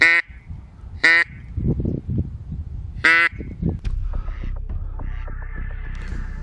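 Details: During a duck hunt in spruce forest, a drake flies in and lands beside the hunters' decoy duck, which calls back: three loud, nasal quacks, the first two a second apart and a third after a pause, over low rustling and wind.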